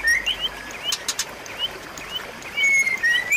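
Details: White-rumped shama song played as a lure to get a shama that has stopped singing to sing again: short rising whistled notes around mid-high pitch, spaced irregularly, with a few sharp clicks near the middle.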